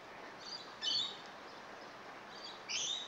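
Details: Rainbow lorikeets that have just moved in: two harsh, high screeching bursts about two seconds apart, the second rising and longer, over a steady hiss of background noise.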